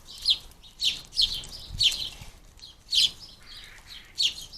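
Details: Wild house sparrow fledglings being fed at a garden bird feeder, with sharp, high chirps repeated in bursts roughly every half to one second, each a bright, slightly buzzy note, against a quiet background.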